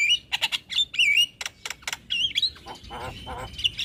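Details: Javan myna chatter used as a singing stimulus for a lazy bird: whistled and slurred notes with harsh rasps, ending in a sustained thin whistle over softer chatter.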